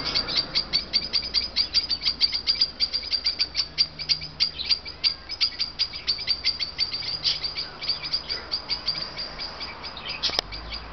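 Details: Bird heard every morning and night, calling in a fast series of high, thin chirps repeated several times a second with uneven rhythm, over light background noise, ending with a brief thump.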